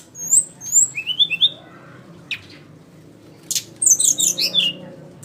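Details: Flycatcher giving a few clear high whistled notes, then soft downslurred calls, a pause, and a closing cluster of quick high chirps.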